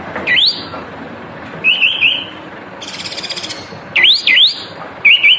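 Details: Cream-vented bulbul (kapas tembak) kept in a cage, in full vigorous song with tail fanned, used for song-training: sharp rising whistled sweeps and short wavering whistle runs, broken by one loud buzzing rattle midway.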